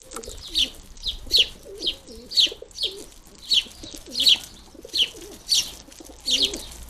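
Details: House sparrow fledglings begging while being fed at a garden bird feeder, sharp high chirps repeated roughly every half second, with soft low cooing in the background.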